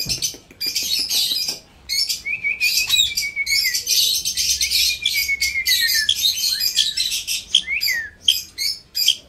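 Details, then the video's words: A pet rose-ringed parakeet gives harsh, high, screechy squawks in rapid bursts, with a few drawn-out whistled notes mixed in. "India ringneck parrot"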